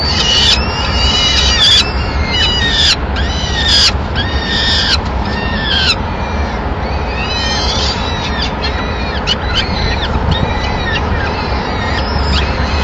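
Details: Nesting Peregrine falcon family in Madrid, 25 April 2016. The female flies in carrying a pigeon while the male stands guard, then she feeds the chicks. Shrill, downward-curving wails repeat roughly once a second, with constant low background noise.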